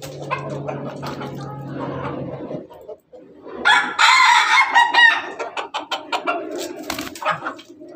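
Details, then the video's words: Ayam Ketawa rooster among hens in the morning: low hum and murmuring clucks, then a loud, rasping crow of about a second and a half, followed by busy clucking and chirps. "Ayam ketawa jago berkokok dengan ayam ayam babon pagi hari"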